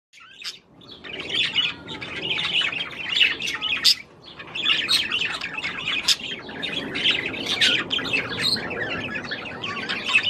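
Budgerigar warbling continuously, a dense, chattering stream of high twitters, clicks and squeaky notes with brief pauses, typical of a courting male.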